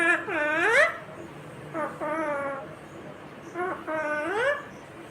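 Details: Indian ringneck parakeet, a green parrot, mimicking speech: three word-like bursts, the first and last sliding upward and the middle one flat and level, with quiet pauses between them.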